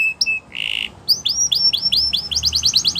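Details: Yorkshire canary singing a training song for young canaries: a few high notes and a short buzzy burst, then a series of repeated slurred whistles speeding into a quick rolling trill.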